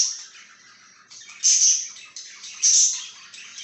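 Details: A pet budgie on 26 July 2023 chattering quietly, then letting out two loud, buzzy chirps about a second apart, each trailing off into softer warbling.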